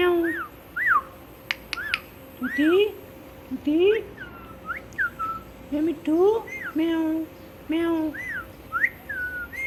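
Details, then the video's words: Smart pet parrot repeating human words. About ten seconds of chattering, speech-like syllables: rising nasal notes paired with arched whistles, repeated in uneven bursts with a few sharp clicks and a faint indoor hum. "Talking Parrot Mitthu Mitthu"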